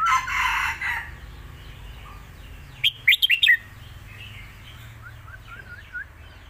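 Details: Caged competition red-whiskered bulbul giving master song for teaching young birds, alternating with lak wai style: a noisy rustling burst opens, then one quick phrase of four or five bright slurred notes after a pause.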